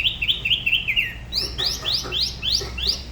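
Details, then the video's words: Da Lat spot-throated babbler from La Ba river, solo song of an unusual regional style: a rapid twittering run of short notes followed by a series of sharp, rising-then-falling whistled slurs. "Tiểu mi La Bá hót solo/ Spot-throated Babbler the best solo La Ba river"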